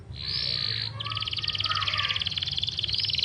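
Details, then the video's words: Yorkshire canary singing a long continuous song, kept for training competition birds: a sustained high trill followed by a rapid buzzy rattle of tightly repeated notes, with a low hum beneath. "Yorkshire Gacor Panjang cocok buat pancingan dan masteran burung lomba"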